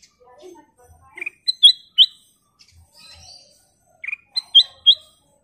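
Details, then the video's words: Lively Black-crested bulbul song in two separate phrases, each a quick run of bright, slurred whistles climbing to sharp accented notes, with soft scattered chirps between them. "Kicau Burung Burung Kutilang Emas Gacor full isian"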